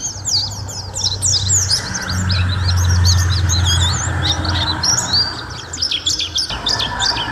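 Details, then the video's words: Mountain white-eye singing on a long tutor recording: fast, tangled high chirps and twitters, roughly three or four a second, over a prominent low droning hum that stops near the end. "Suara Masteran Burung: Pleci Gacor durasi panjang"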